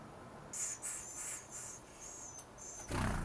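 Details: Wild Western Flycatcher nestlings on day 11, feathers filling in and increasingly alert, in the Pacific Northwest: a series of thin, very high squealing calls, several in close succession, ending in a sudden burst of broad rustling noise.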